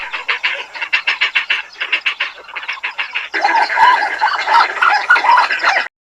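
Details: Southern African African Openbills give hoarse, clucking croaks about three or four a second, followed by a denser clamour of several birds calling over one another.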